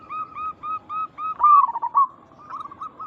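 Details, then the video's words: A local zebra dove calls to prompt other zebra doves to respond: evenly spaced short notes build into a louder rolling, quavering coo, then fade into softer notes. "Perkutut lokal gacor Suara ini membuat Burung Perkutut langsung Nyaut cepat respon"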